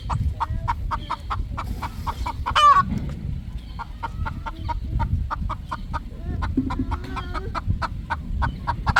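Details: Three roosters relaxing at evening sunset on a poultry farm: rapid, even clucks about five per second throughout, broken near the middle by one loud harsh squawk; low rumbling background.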